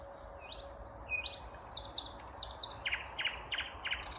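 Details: Vagrant Common Nightingale singing unseen on a May 19, 2021 morning in Kvarnbo, a suburb of Uppsala, Sweden: two rising whistled slurs, then a run of five or six short, bright notes repeated in quick succession.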